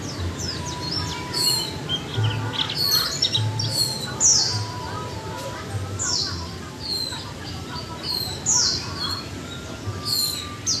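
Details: Japanese white-eye kept in a cage for one month, giving a chattering 'líu choè' song: bursts of high, sharp down-slurred twitters separated by short pauses, with low rumbling background noise.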